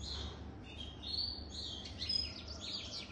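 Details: European goldfinch more than three years old singing a quiet, rapid twitter of high tinkling and buzzy notes, with bright trills clustered toward the end and a low hum beneath.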